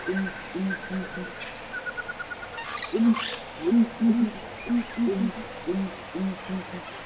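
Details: A small wild flock of southern ground hornbills gives its early-morning call in the African bushveld: deep, resonant booming notes in short runs, some single, some in quick pairs, with thin higher bird calls faintly behind.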